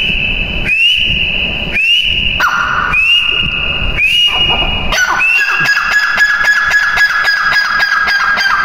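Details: Female grey francolin calling: a run of loud, rising whistled notes about once a second, then a faster stretch of stacked, pulsed whistles from a louder second series.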